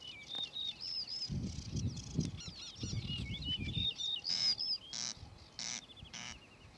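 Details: A singing male Yellow-breasted Bunting (Emberiza aureola) gives bright, clear, flute-like whistled phrases of slurred and repeated notes, over a low rumble of wind or handling noise.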